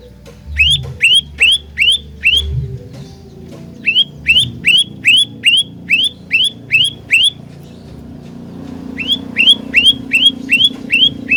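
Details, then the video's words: Olive-backed tailorbird fighter song played as a trapping lure, three phrases of rapid rising whistled notes, five to eight notes each at about two and a half per second, separated by short silences; low rumble in the background. "Burung Prenjak Lumut Pikat Gacor Fighter"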